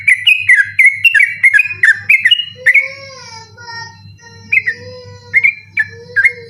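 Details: Trucukan, the yellow-vented bulbul, singing at night for a master recording aimed at night-contest birds; a rapid whistled run, then a long drawn-out wavering wail from another source, with a few whistled notes returning near the end.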